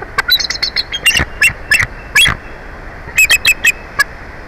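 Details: Big Bear Valley bald eagle at its live-cam nest as one bird takes over from its mate; scattered high, squeaky piping notes, first a loose series, then a tight cluster of four or five near the end.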